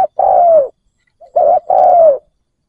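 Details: Spotted dove acting as a decoy for wild doves, giving long, smooth, drawn-out coos, one alone and then a pair, in a quiet setting.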